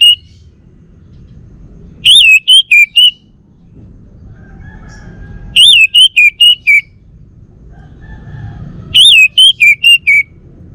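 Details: Bali male orange-headed thrush kept at home, singing the same whistled phrase three times about three seconds apart, each a wavering rising-falling note followed by three or four shorter clear whistles.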